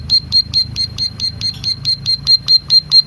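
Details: Plain prinia from Merapi, played to stimulate caged birds to sing: a rapid series of about thirteen sharp, high, thin 'tiit' notes, evenly spaced roughly four per second, over a faint low background hum.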